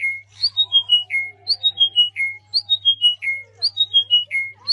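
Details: Bird squeaking in song: a cascading phrase of clear whistled notes stepping down in pitch, ending on a lower held note, repeated about once a second, with a steady low hum underneath.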